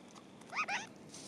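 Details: Antipodes parakeet on Antipodes Island, New Zealand, gives a quick pair of harsh, nasal, slightly mewing notes, each arching up then dropping, over a soft hiss of wind.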